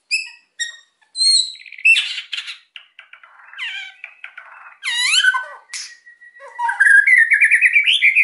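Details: White-rumped shama song meant to provoke quiet birds into singing: a varied medley of sharp whistles, buzzy rattles, downward sweeps and squeaky notes, ending in a rapid rising series of clear chirps.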